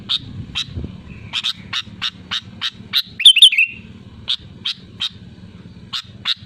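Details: Sooty-headed bulbul singing loudly: a run of sharp, evenly spaced high chirps, broken midway by one quick bubbling whistled phrase, over a steady low mechanical hum.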